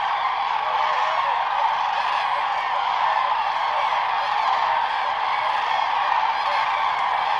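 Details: A man speaks steadily over a constant outdoor hiss, with no distinct animal calls standing out.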